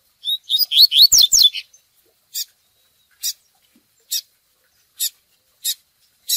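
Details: Double-collared seedeater singing the fiery "tui tui" style used in training: a fast tumbling series of clear descending whistles, then a steady string of crisp high chips spaced under a second apart.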